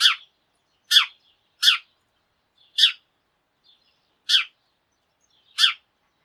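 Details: Tree sparrow calling in the morning, part of a flock that chatters noisily together at daybreak; here six loud, sharp chirps come in turn, each brief and harsh, spaced about a second apart with silence between.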